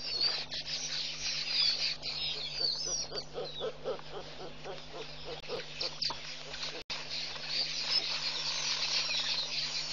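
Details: African fish eagle perched atop a needle tree at Pete's Pond, a Goliath heron below unhappy, recorded 07/05/15; a run of ringing, yelping notes repeated quickly for about three seconds, over a constant high hiss of insects and a steady low hum.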